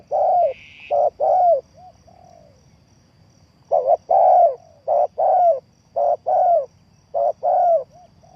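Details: Spotted dove call used to lure birds for trapping: repeated soft, hollow coos in paired phrases of a quick double note and a drawn-out croo, with a short buzzy insect-like sound at the start and a quiet gap.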